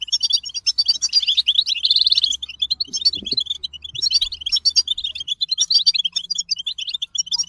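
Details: Bitbita song of a European goldfinch, a rapid cascade of high twittering and tinkling notes with one short buzzy trill early on, over a faint low hum.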